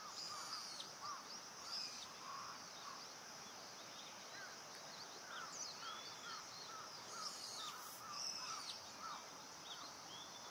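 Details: Indian pratincole on Amami Ōshima giving frequent brief curved chirps in loose series throughout, with occasional higher notes, beneath a steady shrill insect buzz in an open outdoor setting.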